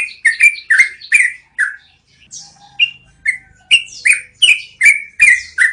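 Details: Yellow-vented bulbul giving a long rolling song, used as training audio for cage birds: quick bubbly mid-pitched notes in rapid series, each with a sharp high click, broken by a short pause before resuming.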